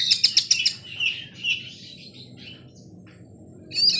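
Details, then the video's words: An Oriental magpie-robin sings in the afternoon, opening with a quick series of sharp ticking notes, then a few drawn-out sweet whistles, a quiet gap, and a sudden loud bright phrase at the end. "KACER SORE HARI"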